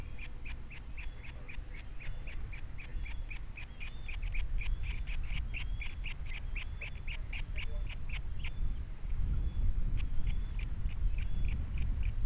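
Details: Nest-camera osprey with three chicks at Captiva, 21 February 2022: a fast stream of piping chirps, over two per second, with faint drawn-out whistles. It pauses briefly, then resumes under rising wind rumble.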